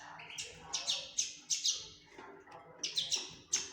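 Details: Common linnet fledgling giving sharp, high chirps in quick bursts, some doubled, spaced unevenly through the short stretch with brief quiet gaps between groups.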